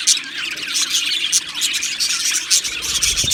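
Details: Australian budgerigar colony in an aviary fills a brief stretch with bright, high chirps and squeals. Louder squeaky notes pulse out roughly every second over a constant warbling background.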